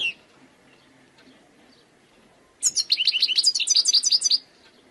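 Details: Wild European goldfinch singing after a quiet pause: a burst of about two seconds of quick, tinkling, high twittered notes in a rapid, uneven series.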